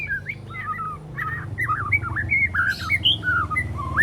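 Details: Three-month-old juvenile white-rumped shama practising mimicked material, scratchy notes and sharp shots; a continuous chattering warble of quick twisting whistles with a steady low hum beneath.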